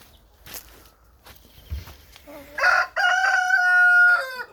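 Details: A rooster crows once on a warm, sunny Monday, 22 April 2024, while hens walk about: a brief rising opening, then a long, steady, harsh note held about a second and a half before dropping away. Faint speech and rustling come earlier.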